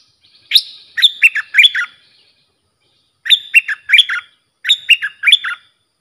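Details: A bulbul repeats its lively phrase three times, once every two seconds or so. Each phrase has five or six chirpy, rising and falling whistles. The song is meant for teaching young birds and attracting wild ones.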